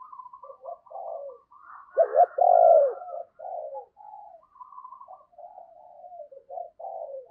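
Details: Spotted dove decoy calling to lure wild birds: low soft murmured notes throughout, broken by one loud burst of two quick hooked notes running into a long, full coo midway.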